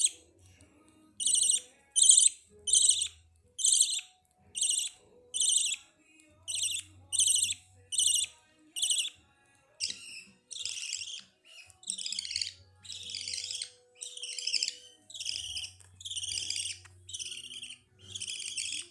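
Budgerigar chicks give harsh, raspy begging chirps, repeated over and over at a quick, uneven pace.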